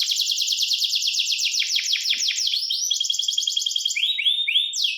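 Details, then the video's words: Canary singing indoors: fast, rolling high trills that shift pitch every second or so, dropping into lower slurred tours and then rising, swooping notes near the end, with no other sounds. "The Voice of the Canary Bird, singing a super relaxing bird melody"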